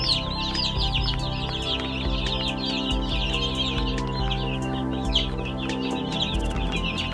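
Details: A flock of about 100 baby chicks chirping together: dense, high, rapid peeping that overlaps continuously, with steady background music throughout.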